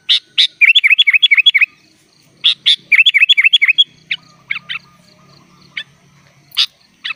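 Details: Sooty-headed bulbul singing in 'gacor full isian' style. Two fast runs of about eight hooked whistled notes each, then scattered single chips over faint low background noise.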